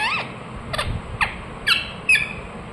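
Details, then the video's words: Short harsh squawks from a pet talking ring-necked parakeet, five separate screeching notes about half a second apart, the last ones rising and sharper, over quiet indoor background. "Ringneck parrot Chirping sounds"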